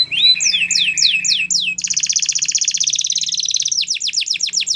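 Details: Belgian canary performing a training song: quick repeated downward whistles, then a long steady high-pitched trill of about two seconds, ending in a burst of sharp falling notes, over a faint low hum.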